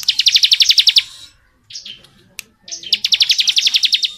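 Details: Rapid ngebren singing from a bar-winged prinia: a long run of quick high chips, a short pause with soft notes, then an even longer, steady chattering run.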